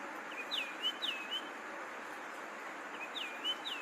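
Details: Longclaw calling: clear high whistled notes, each sliding sharply down and then levelling off, in a quick group of three, then a pause and another group of three, over steady background hiss.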